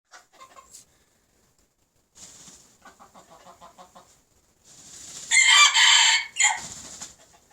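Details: Red junglefowl crowing, old brood males with young learners: soft clucking pulses early, then a loud harsh broadband crow near the end, broken into segments with a short tail.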